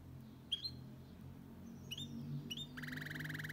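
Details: Goldfinch × canary hybrid singing cleanly, used to stimulate males to sing and to teach young birds: sharp chirped notes around half a second apart, ending in a fast buzzy trill, over a low steady hum.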